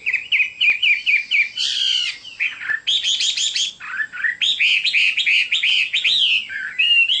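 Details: Chinese hwamei singing a loud, varied song: rapid repeated whistled notes, then buzzy bursts and rich slurred phrases changing every second or so, with no other clear sounds.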